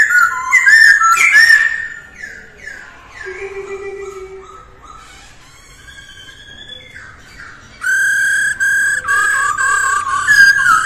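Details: Masked laughingthrush singing in the early morning as daily voice training, in the style called mái ro ro; loud whistled phrases, sliding notes and harsh bursts with abrupt changes, ending in a run of bright repeated whistles.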